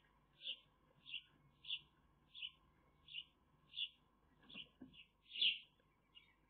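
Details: Eurasian magpie chicks in the nest, filmed by a nest camera on 30 May 2021. Thin, squeaky high calls come in a steady series about every half second, with one louder, harsher squeal near the end, over a faint steady electrical hum.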